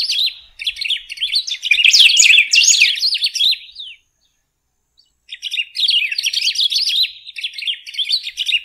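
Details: Song of a golden-billed saltator, dense rapid chirps and warbled slurs, high-pitched and busy, in two long bursts separated by about a second of silence.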